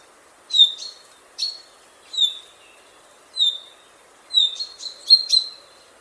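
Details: Common chaffinch chirping, captured with a Zoom F6 field recorder: short bright high chirps with a downward flick, given singly about every second, in a quiet background.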